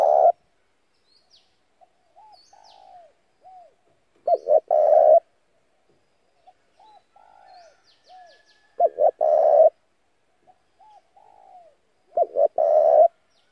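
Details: Spotted dove decoy calling to lure other doves: three burred coo phrases roughly every four seconds, separated by softer, shorter cooing notes and faint high chirps.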